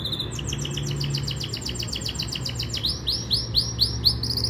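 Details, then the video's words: Yorkshire canary training song: dry buzzy trills of rapid repeated notes give way to loud, clear upswept whistles repeated about twice a second, over a low steady hum. "Most powerful Canary song | Rasmi Yorkshire canary song | best Canary training song"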